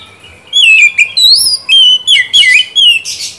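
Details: A shama pours out a quick run of loud, clear whistles, each note gliding up or down, about eight notes in three seconds, closing on a harsh noisy burst.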